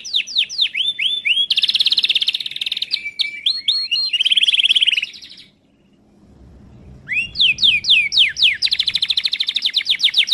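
A Timbrado canary sings rapid runs of high, metallic trills and descending whistled notes, with a brief pause midway before the rolling phrases resume.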